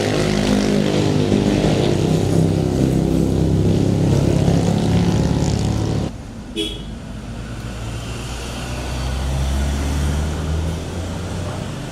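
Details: A steady, rumbling engine drone dominates, with faint voices, a sudden drop in noise near the middle, and then a quieter background hum, with no animal calls.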